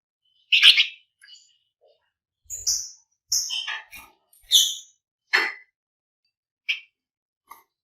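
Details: Flamboyan bird sung as a lure to stimulate other birds to sing, in a dense, lively style: short loud bursts of high, sharp chirps and scratchy trills, about eight separate phrases spaced by brief silences.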